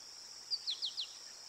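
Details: Ruby-throated hummingbird recorded at the Decorah Eagles North site on 15 August 2022, giving four thin, high chips that slide downward in quick succession over a steady high insect-like hum.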